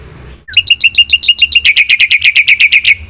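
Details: Black-winged myna singing hard in full song: a string of bright down-slurred whistles that speeds up into a rapid, even, ringing chatter of repeated piercing notes.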